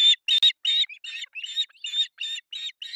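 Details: Three osprey chicks at an artificial nest in Pohjois Satakunta, Finland, during breakfast feeding on July 1, 2024, recorded by a nest camera: rapid series of high, harsh chirps repeated almost three times a second, with one sharp click.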